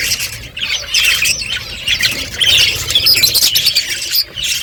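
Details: Several budgies feeding, their high squawky chirps and chatter tumbling over one another without a break.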